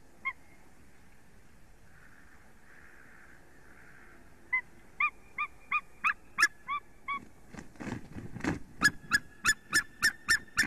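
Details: White-tailed eagles in Latvia during mating, recorded at 9:40 AM on 29 February 2020; after a faint murmur, a series of sharp yelping notes begins, accelerating into rapid regular barks about three to four per second.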